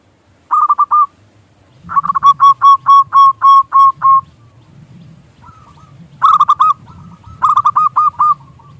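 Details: Local Indonesian zebra dove recorded as a lure to make doves coo: phrases of rapid ringing hooked notes, one long run and shorter bursts, over a steady low hum and rumble.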